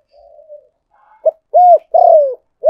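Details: Spotted dove call for luring as a decoy: soft low murmurs, then a short coo, a rounded coo and a drawn-out falling coo with a slight burr, ending on a clipped note.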